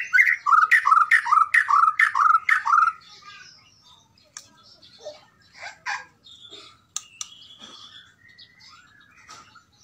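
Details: White-rumped shama giving a keretekan call to provoke and anger a rival: a loud series of six repeated downslurred notes about every half second, followed by quieter, varied whistles and chirps.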